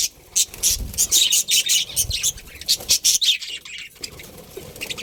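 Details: Budgerigars, a breeding pair in a budgie colony, chirping: rapid bursts of shrill, scratchy chatter, roughly three notes a second, uneven and busy, with a few soft low thumps underneath.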